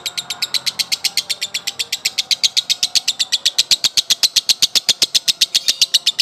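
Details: Male lovebird giving a long 'konslet' song, a drawn-out chatter. Rapid, even, high chattering notes repeat about six per second without a break for the whole stretch, sharp and rattling, with no other clear sounds.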